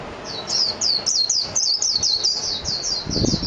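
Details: Japanese white-eye (mejiro) singing: a rapid run of high, thin, twittering notes, each a quick sweeping chirp, continuing steadily for about three seconds with faint low background rumble.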